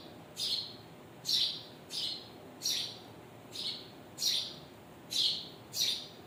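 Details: Birds chirping, parents and chicks together. Bright, high chirps that slide downward come at slightly uneven intervals of roughly one second, against a steady faint hiss.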